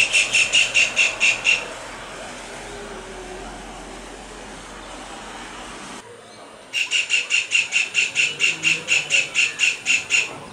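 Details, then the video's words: Kingfisher calling with a dance: a burst of about eight piercing, evenly spaced notes, then a quiet pause of several seconds, then a longer run of the same shrill repeated notes. "Kingfisher Bird calls ---- Beautiful Song with dance"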